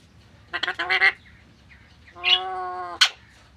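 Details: Harsh, nasal squawks from an Alexandrine parakeet: a choppy burst of rasping notes, then one longer, steady, drawn-out squawk ending in a sharp high click, over faint background hum.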